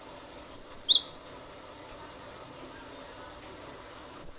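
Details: Cinereous tit (glatik batu) singing vigorously in the 'nembak' style, used as a lure to make other birds sing: a quick run of four sharp, very high chirps, then silence and one more high note at the end, over faint background hiss.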